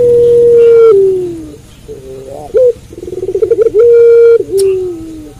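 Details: Night-time cooing of a puter pelung (Barbary dove): a long, steady, sustained coo fading downward, a pause, then a pulsing roll running into another long, level, drawn-out note with a dipping end.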